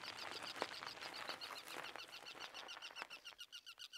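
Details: Seashore birds along the Richmond Dyke near Steveston, heard on a bike ride with gravel under the wheels: high, thin chirps overlapping rapidly, several each second, over a soft outdoor hiss.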